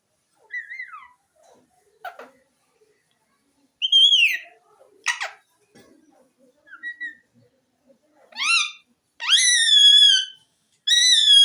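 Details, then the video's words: Talking green ringneck parrot producing clear whistled notes, some falling, some sharply rising then level, with short harsh chirps between; the final whistles are long, loud and steady. "mian mitho chori khani ha,lovely green parrot bird talking"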